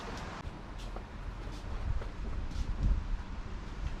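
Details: Wind buffeting the microphone with low traffic rumble and rustling, no animal voice heard.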